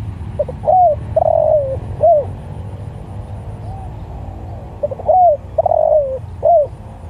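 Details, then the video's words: Spotted dove calling out to other doves with two clear phrases, each a soft stutter, a curved coo, a long trembling descending coo and a short end note; a faint distant coo and low traffic-like rumble behind. "Tekukur Sirambo Malemanggil Tekukur"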